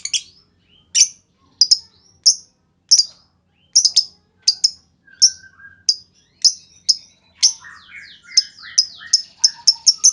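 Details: High, clipped chips from a lovebird in the 'ngetik' style, played as a lure for other lovebirds' long chatter. The notes come singly at first, then speed into a fast run near the end, with a faint buzzy undertone.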